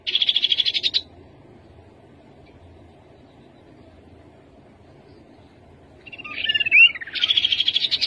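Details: Rufous-capped babbler singing: a dense, fast buzzy trill lasting about a second, then silence, then a few short rising whistled notes leading straight into another rapid trill at the end.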